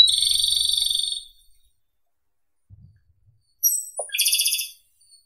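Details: Japanese robin (Erithacus akahige) song: the tail of one rapid ringing trill, a pause with a faint thud, then a full new phrase of high whistles, a short low note and a fast rattling trill.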